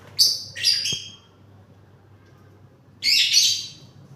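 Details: Parrots screeching: two quick harsh rasping calls close together, a sharp click, then after a pause a longer, broad grating screech, over a faint low hum.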